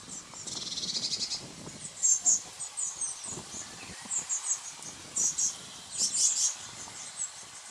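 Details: Young Eurasian blue tits giving a buzzy hissing begging burst followed by many thin, very high squeaks in irregular clusters, with faint low rustling underneath.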